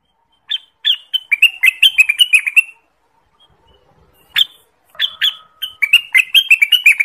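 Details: Orange-spotted bulbul (Pycnonotus bimaculatus), called cucak wilis or rengganis in Indonesia, song meant for luring and tutoring birds: rapid bubbling run of sharp whistled notes, a pause, then another lively chattering phrase.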